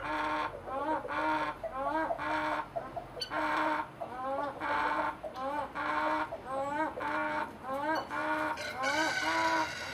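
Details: One hen making a strange noise of unknown cause; nasal, wavering clucking calls repeated about once a second in a steady series, over a faint low hum.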